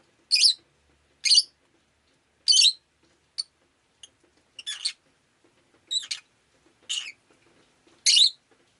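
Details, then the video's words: Rosy-faced lovebird on a rainy day, a series of harsh, scratchy chirps at irregular intervals, some brief clicks between, the background otherwise quiet. "Lovebird Chirping Sounds"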